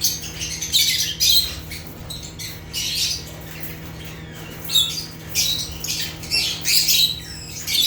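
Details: African lovebirds (Agapornis) chirping: bursts of shrill, high squawky chirps in clusters about every second, with quieter gaps between and a low steady hum underneath.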